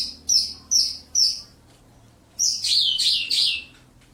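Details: Caged lark in a one-metre-tall cage: three short high chirping bursts, a pause, then a longer rich twittering run of bright warbled notes.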